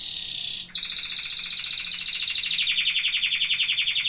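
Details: Singing canary: a short soft trill, a pause, then a loud fast pulsed roll that slowly drops slightly in pitch and continues steadily.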